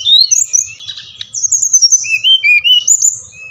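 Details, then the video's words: Brown-chested jungle flycatcher from Bali, song played to excite captive birds: continuous high whistled phrases mixing bright slurred notes with lower smooth sliding whistles, faint low rumble underneath. "Sikatan Rimba Dada Coklat | putar ini pasti SRDC anda ngamuk gacor dengan suara ini"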